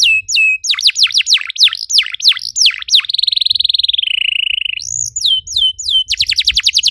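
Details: Canary song used as a lure for other canaries: varied falling whistles, a long even buzzing rattle, a rising swoop, then a rapid chattering trill.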